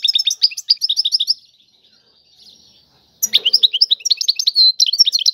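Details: Tiwawati-style song of a European goldfinch: quick high twittering notes, a near-silent gap of about two seconds, then a lively resumption with liquid chirps and a short buzzy trill.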